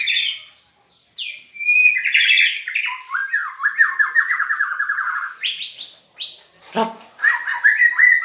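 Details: White-rumped shama singing an odd song: a short whistle, then a long rapid buzzy trill that slowly descends, ending in sharp upward whistles and a final quick warble.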